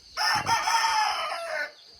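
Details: A rooster at a small rural house in a coconut-growing area crows around 5:50 on a cold early morning: one full, loud, hoarse, harmonic crow lasting about a second and a half that wavers slightly before fading.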